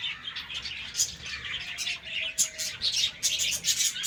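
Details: Budgerigars at morning in a colony breeding setup give rapid, irregular high chirps and sharp squeaks over steady warbling chatter. A faint thin whistle-like tone runs beneath midway.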